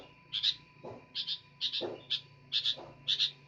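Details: A sooty-headed bulbul sings busily, giving clipped double chirps about every half second, with soft low thumps between the bursts and a faint background hum.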